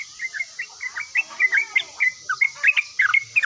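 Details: Yellow-vented bulbul in full song, responding immediately: a quick string of short, liquid chirped notes, each slightly different in pitch, over a faint steady high hiss.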